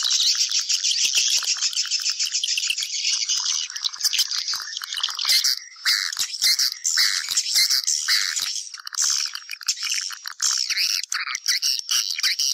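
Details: Lure sound for attracting swiftlets into a house: continuous high-pitched buzzy twitter from many birds, thick at first and thinning into scattered chirps toward the end.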